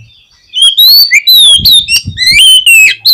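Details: Oriental magpie-robin song played to provoke a pet bird to sing: loud, varied whistled phrases, clear slurred notes rising and falling with sharp chips between, continuous after a quiet start.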